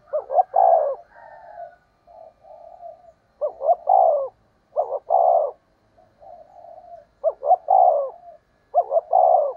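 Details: Lure call of a spotted dove meant to stir wild doves: low, throaty coo phrases, each a quick stuttered double note and a longer full coo, repeated about five times with soft trailing coos between.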